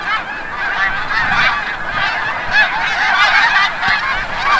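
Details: Snow geese returning from the bay at sunset at Forsythe National Wildlife Refuge, Oceanville, New Jersey; a dense continuous chorus of many overlapping nasal honks forms a steady wall of sound.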